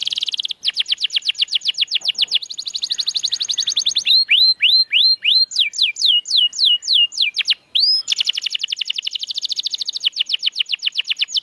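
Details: Canary song played to encourage silent canaries to sing: long, fast rolling trills broken by passages of slower hooked and rising whistles, then back to a quick, steady high roll, loud and continuous.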